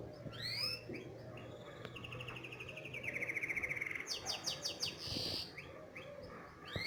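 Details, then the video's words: Canary singing, recorded for training young canaries: a varied song of rising chirps, then long rapid rolled trills shifting in pitch, and bright higher buzzy notes near the end, with a steady low hum beneath. "تعليم التغريد للعصافير مقنين كناري"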